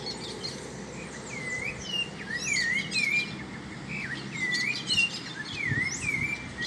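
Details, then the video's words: Great kiskadee, feeding on insects in a home backyard alongside other birds, gives a series of loud swooping whistled notes, some rising, some falling, with busy high twittering from other birds and low ambient noise. "Bem ti vi se alimentando de insetos"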